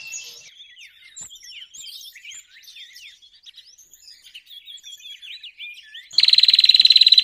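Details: Bar-winged prinia lure sound for trapping. Several seconds of thin, varied twittering and chirps give way to a loud, very fast string of sharp repeated notes that runs to the end.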